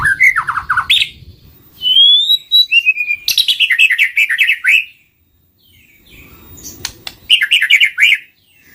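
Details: White-rumped shama song used as a lure for trapping birds: loud, rapid phrases of repeated descending whistled notes, a clear rising whistle in between, and bursts of sharp high chips, with short quiet gaps.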